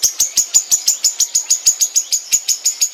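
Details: Long-tailed shrike kept at home, delivering a rapid, even run of high, sharp chip notes, roughly five per second, steady throughout.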